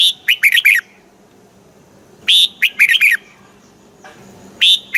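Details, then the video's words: Caged red-whiskered bulbul from Thailand, southern master-song style played to excite birds and teach young: short phrases of five or six bright, clipped whistled notes, slurred downward, repeated about every two seconds over faint background hum. "เสียงนกกรงหัวจุก ร้อง ริก เปิดให้นกฟัง ยั่วให้นกคึกจัด"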